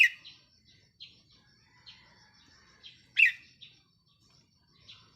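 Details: Red-whiskered bulbul decoy bird recorded 4 May 2023, with soft short chirps spaced about a second apart and one loud sharp whistled phrase near the middle, over faint low background noise.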